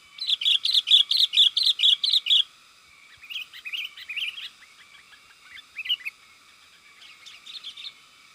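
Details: Sooty-headed bulbul lure call meant to excite wild birds into calling: a run of about nine rapid, even chirps, then looser scattered warbling notes and brief twittered phrases.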